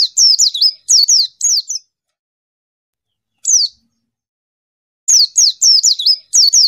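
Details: White-eye calling a rival, clearly recorded: bursts of rapid, high, descending chirps, a single note during a pause, then another fast excited run.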